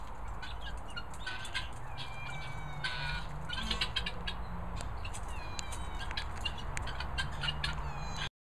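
Guineafowl keets give a steady chorus of thin, high peeps and chirps over a low background hum.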